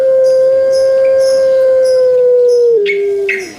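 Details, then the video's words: Puter pelung turtle dove kept in captivity delivers its long thick 'kwok': a single unbroken, hollow coo held level for almost three seconds, then a slightly lower tail note, with faint clicking sounds in the background. "𝙋𝙐𝙏𝙀𝙍 𝙋𝙀𝙇𝙐𝙉𝙂 𝙎𝙐𝘼𝙍𝘼 𝘼𝙎𝙇𝙞 𝙋𝘼𝙉𝙅𝘼𝙉𝙂 𝙆𝙒𝙊𝙆 𝙏𝙀𝘽𝘼𝙇"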